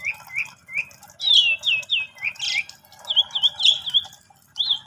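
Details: Asian pied starling song played to coax a silent starling into singing; squawky, rougher notes mixed with repeated looping whistles and a noisy rasping burst, over a slightly busier background.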